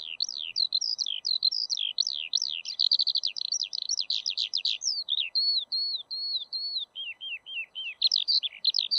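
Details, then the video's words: Eurasian skylark in full song, pouring out fast, unbroken high twittering with buzzy rapid trills and sliding whistles, briefly easing into slower falling notes before speeding up again; soft background hiss. "ПОЛЕВОЙ ЖАВОРОНОК-ПОЮЩИЙ ЛЕКАРЬ"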